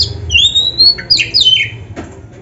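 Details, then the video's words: Black-breasted kacer, an oriental magpie-robin, singing a 'gacor full isian' training master: long clear high whistles that glide upward and hold, broken by quick downslurred notes and a brief scratchy ending. "Suara Burung Kacer yang cocok untuk Latihan"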